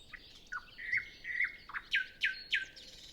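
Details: On a calm morning before sunrise, with the other birds still quiet, a nightingale gives drawn-out whistles that dip at the end, followed by three strong downward-swept notes in even rhythm. Zoom F6 and Sennheiser MKH 8040 recording.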